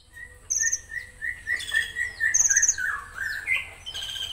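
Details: Konin in a bird hobby setting, delivering its harsh 'tembakan kasar' style: a series of short, rising, buzzy notes near the middle register, mixed with high, rapid rattling trills and downward-sliding whistles from several birds.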